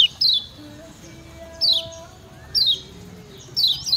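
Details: Lemon-bellied white-eye (kecial kuning), a master recording for teaching other birds: four separate sharp, high, down-slurred 'ciak' notes about a second apart over faint background tones and room noise.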